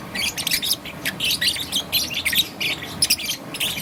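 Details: Young peach-faced lovebird, green and yellow plumage, chirping in the morning: dense, scratchy, high-pitched chirps repeated almost continuously over a faint low hum.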